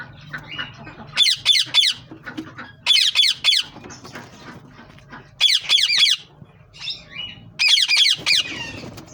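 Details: Green ringneck parrots calling in bursts of three or four harsh, screeching squawks, each burst separated by a couple of seconds of quiet with a low hum behind.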